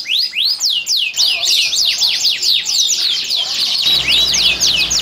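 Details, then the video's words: Domestic canary in breeding condition, from a breeding room in Klaten, Indonesia, singing to stimulate females. Loud repeated rising-and-falling whistled sweeps, roughly four per second, running into a dense rolling phrase. "Pancingan Kenari Gacor, Betina Langsung Ngleper, Kenari BUNYI BIRAHI Ngerek"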